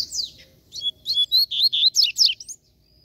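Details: Aggressive free-flying fibrado Double-collared Seedeater in the wild sings a loud, tight run of about eight rich, bouncing whistled notes after a single sharp downslurred opener, ending abruptly.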